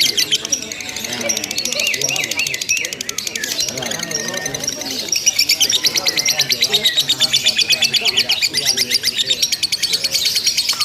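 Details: Lovebird in a simulated singing contest, chattering without pause over a long stretch: dense, rapid, buzzy high chatter repeated almost three times a second, growing louder and steadier in the second half, with fainter lower twittering beneath.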